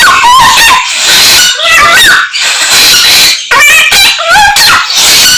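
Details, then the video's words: Lively greater racket-tailed drongo (samyong) song mixing imitations of many other birds: dense runs of whistles, quick trills and rising and falling glides delivered in rapid, irregular bursts. "Samyong Gacor full isian Burung Sak Kebon Dadi siji"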